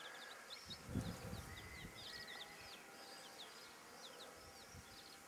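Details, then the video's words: Bantam chicks with their broody hen: many thin, high peeps sliding up and down in rapid overlapping bursts, plus low rustling and a background hiss. "Glucke in Aktion Hühnerkücken Hen hen chicks in action"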